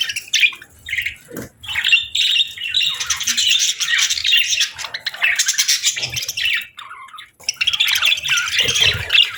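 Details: Budgie flock on a peaceful morning, chattering in bursts of scratchy warbling and chirps that rise and fall in loudness, with short quieter gaps between phrases.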